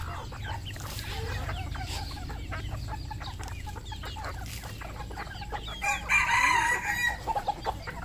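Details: Red junglefowl at a Cambodian farm clucking in short, scattered notes over a steady low hum. A louder, harsher burst of squawking calls comes toward the end.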